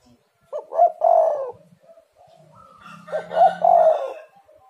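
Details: Spotted dove (tekukur) lure calls to get other doves calling: two rolling coo phrases about two seconds apart, the second overlapped by a harsher bird call and low hum, faint whistles between.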